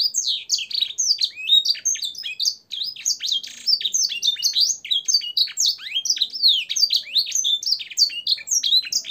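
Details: Canary in full, nonstop song, a training recording for caged birds with blackthroat and sanger fills: a continuous jumble of sharp, high, varied chirps and swoops with barely a break.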